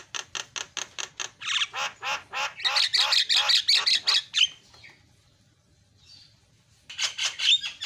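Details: A Javan myna repeats harsh, buzzy squawks in a rapid regular series, several per second, used as a lure to make other mynas call, then falls silent before a final noisy burst.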